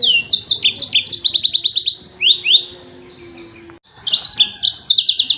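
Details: Burst-style 'tembakan' song of a yellow-fronted canary, played for tutoring other songbirds: quick series of sharp, high downslurred notes in fast trills, a brief gap of silence, then another shimmering run of rapid repeated notes.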